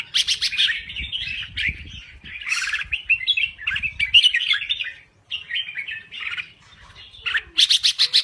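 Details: Crested bulbul from Thailand in full song: quick repeated sharp notes open and close a long stretch of chattering, warbled phrases, with faint low thumps in the background.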